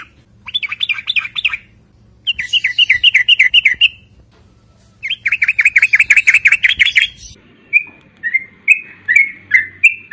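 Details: Sooty-headed bulbul song used as a lure to attract bulbuls: bursts of rapid, bubbly warbled notes around mid-high pitch, then a series of short whistled rising-falling phrases repeated about every half second.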